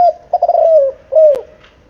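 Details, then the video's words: Spotted dove, seven months old, cooing: a stuttered opening of quick pulses sliding into a long falling coo, then one shorter descending coo, with a sharp click near the end. "Tiếng chim cu gáy,gáy kích bổi ,nghe là gáy"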